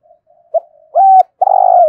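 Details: Morning call of a spotted dove kept to lure wild doves: soft murmurs, a brief sharp note, a steady level coo, then a long throbbing coo.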